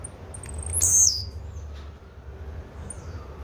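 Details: One loud, high, buzzy phrase from a blue-black grassquit after a couple of thin ticks, followed by low background hum.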